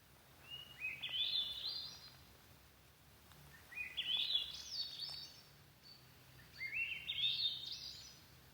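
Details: Swainson's Thrush singing in a wilderness forest: three ascending, flute-like spiraling phrases about every three seconds, each climbing upward in pitch, over quiet forest background.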